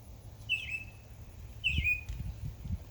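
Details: Backyard birds on a summer day give two bright, slightly descending chirps about a second apart, over a low rumbling background.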